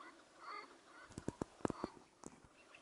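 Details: A tethered partridge, used in partridge hunting, gives a quick burst of five or six hard, clucking chuck notes in under a second, then a single later note, against faint outdoor hiss.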